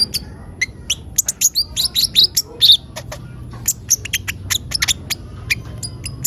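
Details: Olive-backed sunbird singing busily, used as a lure for other birds; high twittering chirps, some with a clear downward glide, coming in quick irregular series.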